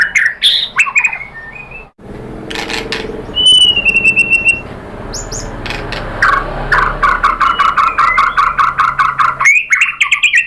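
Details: Murai batu, the white-rumped shama, in a lure recording that incites rival birds to reply: a long steady whistle, varied slurred notes, then a fast run of evenly repeated short chips near the end.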